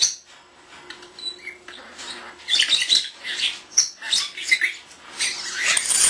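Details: Young captive common starling indoors, chattering mimicry: a dense stream of high scratchy clicks, squeaks and thin whistles that grows busier and louder toward the end.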